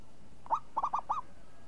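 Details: Zebra dove (perkutut), a champion bird with a crisp voice, delivering one ngayun-style phrase: a lone clear coo followed after a short pause by three quick, warbling, rounded notes.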